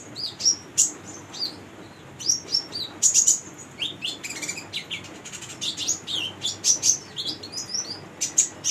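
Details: Energetic singing from a female brown-throated sunbird, used as a lure to train young birds: dense high-pitched twitters, clicks and short whistled notes in fast, busy sequences throughout, with a faint background hum.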